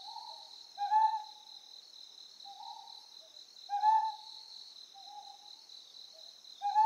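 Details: Ryukyu scops owl on Amami Oshima giving short, low hooting notes about every three seconds, with fainter answering hoots between them, over a steady high insect chorus.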